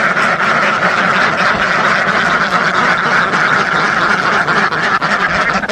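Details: A huge flock of ducks, thousands strong, keeps up a thick wall of overlapping quacks that stays constant and loud from start to finish.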